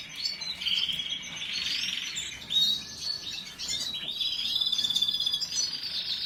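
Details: Canary song of rapid chirps and rolling trills, with clear whistled notes and a sustained thin trill near the end, delivered without pause.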